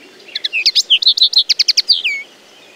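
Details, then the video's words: Common linnet delivering a lively twittering phrase of clipped, evenly spaced chirps that speeds into a rapid run and closes with a falling whistle. "The song of the Common Linnet"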